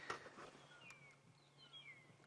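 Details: Several Magpie Shrikes at sunrise in winter, Sabi Sand, South Africa, 21 August, give faint liquid whistles that slide up and down and overlap, answering one another, probably a territorial dispute; a sharp knock starts it over a low hum.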